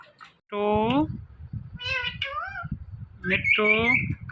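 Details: Talking parrot repeating the word "Mithu" indoors: two harmonic, voice-like phrases, the first lower and sliding, the second higher with a bright rising top, over low background rumble.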